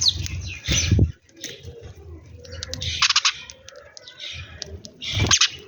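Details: Sparrows eating food in a morning scene give short, bright chirps in irregular bursts, with low thumping and fluttering noises underneath.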